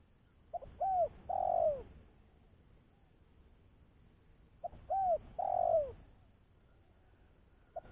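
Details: Spotted dove call used for luring doves: two cooing phrases about four seconds apart, each a quick note, an arched coo and a longer falling coo.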